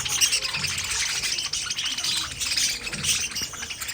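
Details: Pet budgerigars chattering: busy overlapping warbles and clicking twitters, high and rapid, with a few sharper whistled squeaks rising above the steady chatter throughout.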